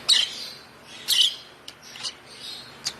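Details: One-month-old African lovebird chick, hand-fed from two weeks of age, making harsh high chirps: two longer rasping calls about a second apart, followed by short thin ticks and a softer call.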